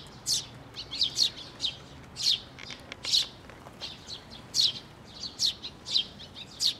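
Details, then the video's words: At a shrine's water bridge on 11 May 2024, sparrows and newly fledged young arrive for food, giving bright, high chirps in uneven clusters, some doubled, about a dozen over several seconds. "水上橋に 餌を貰いに飛んで来る雀達、巣立ち雛鳥"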